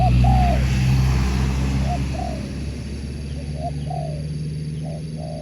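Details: Competition sport dove, a spotted dove, gives paired descending coos at regular intervals, partly masked by loud low traffic-like rumble.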